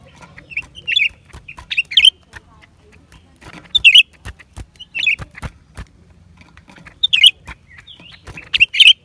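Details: Recorded in January 2023, a lesser green leafbird gives clear, sharp whistled notes and squeaky twists, in pairs and short groups separated by quiet gaps, with scattered clicks.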